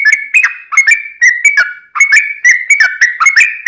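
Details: Yellow-vented bulbul (trucukan) in vigorous 'ropel panjang' long-rolling singing, used as a lure to make other bulbuls answer: bubbly, chattering whistled notes sliding around mid pitch, packed in quick phrases about twice a second with sharp high clicks.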